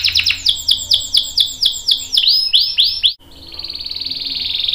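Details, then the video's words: Long rolling canary song, a tutor recording for young and adult canaries: quick sweeping downslurred notes, a short break, then a building rapid trill. "KENARI GACOR NGEROL PANJANG bagus buat pancingan dan masteran kenari paud dan dewasa"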